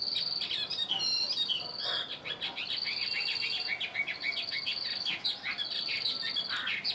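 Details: Chinese hwamei, a caged bird kept one year, pouring out a dense, rapid jumble of high whistled and chattering notes over a sustained high tone.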